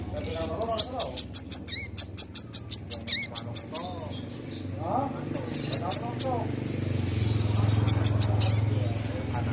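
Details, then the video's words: Captive crimson sunbird singing energetically: a long rapid train of sharp, high, ticking notes, a pause, then a shorter second burst, with a constant low droning hum underneath. "Burung Kolibri Manggar / Wiceh Gacor"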